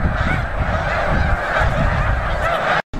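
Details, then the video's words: Huge flock of snow geese in action at Bombay Hook National Wildlife Refuge, Delaware, USA, on December 4, 2006: dense, overlapping honking chorus without pause, over heavy low rumble, cut by a brief dropout near the end. "Snow Geese in Bombay Hook NWR"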